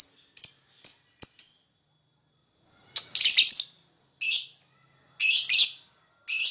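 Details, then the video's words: Lakbet in vigorous lure song: a quick series of short, high clipped chirps, a pause, then louder broad rasping bursts, a few doubled, with a constant faint high tone running beneath. "Burung lakbet, gacor buat pancingan suara lakbet"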